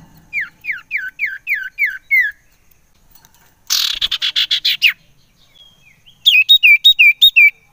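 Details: Common iora calls used as a lure to excite other ioras: a series of downslurred whistles, then a harsh rattling burst of rapid notes, and finally a fast run of looped whistled notes.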